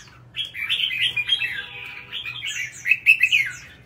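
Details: Red-whiskered bulbul, a caged competition songbird in Vietnam, pouring out a continuous string of mellow, rolling whistles and warbles that grows louder toward the end.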